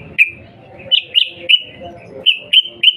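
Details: Sooty-headed bulbul calling to prompt a reply: sparse clear whistled notes, a few sliding slightly upward, spaced unevenly over a few seconds.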